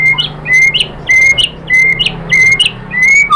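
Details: White-rumped shama lure song for provoking another bird into singing: a clear steady whistle repeated about every half second, each followed by a short sharp chip, with faint low hum behind.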